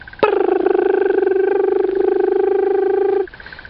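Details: On an afternoon safari drive at sunset on 25 October 2015, a Crested Barbet perched on a treetop gives a single sustained trill, a fast, even rattle like a ringing alarm clock, lasting about three seconds and stopping abruptly.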